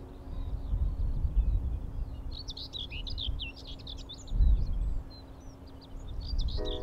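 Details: Common Whitethroat singing along the sea wall at RSPB Rainham Marshes on a windy spring morning: a fast, scratchy, jumbled warble of short high notes lasting several seconds, over heavy wind rumble and a faint background tone.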